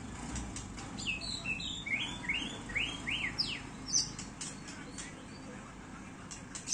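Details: Contest-ready white-rumped shama singing varied whistled phrases: looping rising and falling notes, a few sharp upslurred whistles and scattered high clicks, with steady low background noise throughout.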